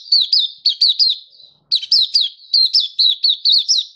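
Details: Mata puteh, a Malaysian white-eye, singing happily with open song in Singapore, 20 March 2023, warm sunny weather; loud high chirps delivered in quick runs of three or four, one brief gap, clean background.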